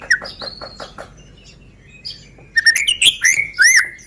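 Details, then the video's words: White-rumped shama from Medan, a caged bird used as a lure to provoke other birds to sing; varied whistled and chirping phrases, a burst of notes early, a quiet gap, then loud rich warbled phrases near the end. "Pancingan Murai Batu Medan Suara Asli"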